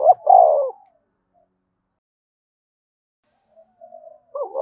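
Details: Spotted dove calling in the vigorous thúc bổi style used to draw wild doves: one strong coo, a quick wavering double note then a longer falling hum, then quiet, with a faint coo starting at the end.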